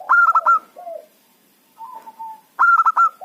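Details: Loud local zebra dove lure call for trapping: a rapid run of four or five clipped, ringing coo notes, then a short, low falling coo. After a soft drawn note, the rapid run repeats.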